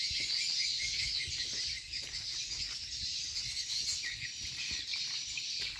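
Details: Borneo swiftlet farm with many swiftlets calling at once, a constant high, buzzy twitter of quick chirps that dips briefly near two seconds, plus light low bumps in the background.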